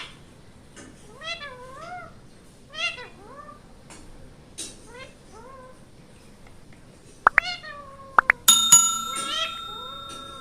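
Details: Ringneck parrot gives a series of short, wavering, warbled calls, then sharp clicks and a loud ringing tone near the end.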